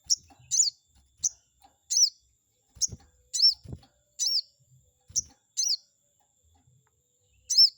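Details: Chestnut-backed scimitar babbler used to provoke a rival into responding: a run of bright, high, arched chirps, singles and doubles, repeated irregularly roughly every half second, with occasional soft low knocks.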